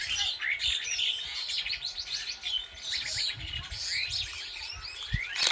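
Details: Real jungle ambience of several birds calling at once: dense, bright chirps and tweets, sharp slurred whistles and rapid twitters that overlap continuously, with a soft low thud near the end.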